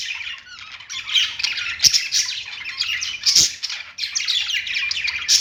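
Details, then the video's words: Perched budgies keep up a lively chattering warble, rasping squawks mixed with high chirps, swelling and easing in waves, with two sharp clicks. "budgies singing on perch | parakeet chirping sounds"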